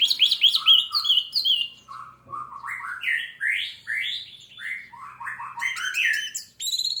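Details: Orange-headed thrush song used as a lure to spur another bird into quick, steady singing: a rich, varied run of loud whistled and buzzy phrases, slurred notes dropping then climbing again, ending in high sharp chips.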